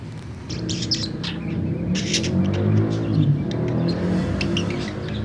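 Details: Tame budgerigar singing in the afternoon: bursts of quick, high, scratchy chirps and twitters in uneven clusters, over a steady low rumble like passing traffic.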